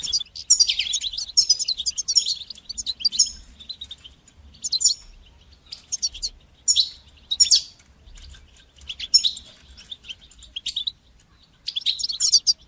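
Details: Goldfinch song in batbata and satsata styles, meant to train young goldfinches to sing; loud, bright, tinkling twitters and buzzy trills in bursts of one to two seconds, separated by short silences.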